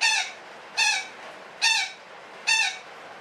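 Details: Parakeet (betet) giving long cackling calls, four harsh squawks spaced about 0.85 seconds apart, each a rich stacked burst, in a quiet indoor setting.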